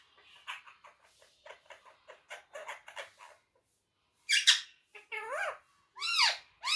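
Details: Pet parrot, kept indoors, talking in Urdu/Hindi: a run of soft, short speech-like syllables, then louder arched, harmonic squawks rising and falling in quick succession.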